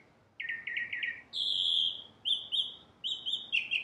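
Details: Song of a Northern cardinal: a quick stuttering trill of short notes, then a long steady high whistle and a few shorter whistled phrases with slight downward ends.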